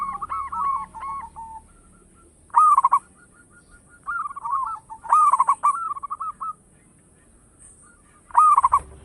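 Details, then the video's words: Local zebra dove in vigorous loud song, intended as a lure: sharp bursts of rapid stuttered notes alternate with rolling, slightly wavering coo phrases, spaced a few seconds apart, and fainter doves cooing behind. "Perkutut lokal gacor suara besar bikin gempar bunyi seteras cocok buat pancingan"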